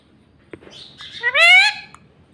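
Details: Pet parrot, a ringneck by the tags, making one loud, shrill, rising-and-falling harmonic syllable about half a second long, after soft rustling and clicks in a quiet room.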